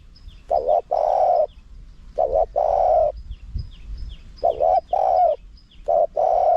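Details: Spotted dove wild-style song, high-voiced, with khat, nun, khu and ang phrasing, used to draw in wild doves. Three phrases, about every two seconds, each a quick double note then a long, even, hollow coo.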